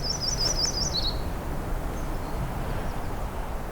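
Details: Yellow-rumped (Myrtle) Warbler in a dead tamarack amid black and white spruce on a June afternoon gives a high, loose trill of chip-like notes dropping into a shorter, lazy lower ending, over steady low wind rumble.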